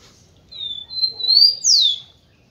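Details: {'caption': 'Singing male tico-tico, used to arouse females: a long flat whistle sliding upward into a rising note, ending with one loud downward-sweeping whistle; background quiet.'}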